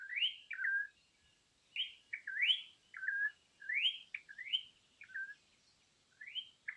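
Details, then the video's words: An imported Campo troupial sings for use as a master recording: a rapid series of upward-sweeping whistles and short downslurred notes, phrases tumbling one after another with few pauses, bright and loud. "suara burung import campo troupial_masteran yang jarang orang tau"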